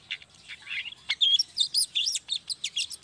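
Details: Pied bushchat in full, busy song, meant as a lure to get other bushchats singing; rasping notes give way to a fast string of bright whistled chirps and squeaky trills, repeated several times a second.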